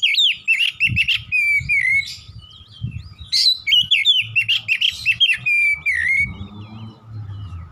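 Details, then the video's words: Rapid-fire 'nembak' song of an oriental magpie-robin singing 'gacor': dense strings of loud, sharp, bouncing whistles and chatter without a break, with a faint low hum underneath near the end. "KACER GACOR NEMBAK NEMBAK"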